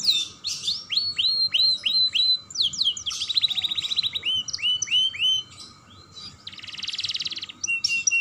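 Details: Young canary song for stimulating other canaries: repeated swooping whistles, then a fast pulsed trill, a dense buzzy rattle and further looping notes, loud and unbroken.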